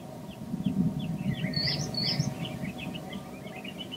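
Long-toed stint: two sharp, high chirped notes stand out about half a second apart amid many faint twittering calls, over a steady low rumble of wind or distant traffic.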